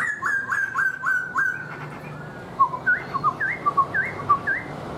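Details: Captive black-throated laughingthrush singing and dancing with fanned tail delivers five evenly spaced downslurred whistles, then a bouncy sequence of alternating low and high looping notes.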